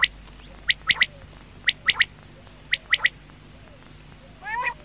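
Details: Quail calling after dark in rapid triplets of clipped, ringing notes, phrases spaced about a second apart, ending with a brief rising, buzzy sound.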